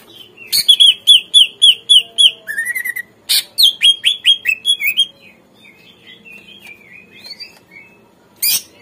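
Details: Greater green leafbird song used to coax captive birds into responding and singing: a rapid string of identical sharp repeated notes, a rising whistle, a quick descending run, then soft rambling warbles and a final burst.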